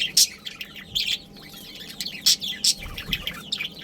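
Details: A breeding pair and family of Budgerigars, Australian parrots, give quick chirps and scratchy warbling notes, with several loud sharp bursts near the start and again between two and three seconds.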